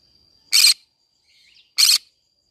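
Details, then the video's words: Green-cheeked conure singing in a flower garden gives two brief, loud, harsh screeches about a second apart, with soft twittering between them and a thin steady whine in the background. "green cheek conure singing sounds"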